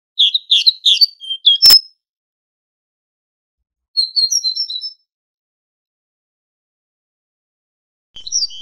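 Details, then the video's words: High twittering tit song from a recording used to train goldfinches: a rapid burst of chirpy notes broken by a sharp click, then a softer run of thin whistles, and a final short phrase after a long pause. "تغريد طائر الحداد ( القرقف) شريط تسميع الحسونChant de la Mésange"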